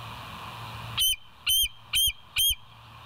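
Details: Wild bald eagle on the West End nest cam, morning of 28 August 2023. After a second of steady hiss, four sharp, high, slightly rising piping notes come at an even half-second pace.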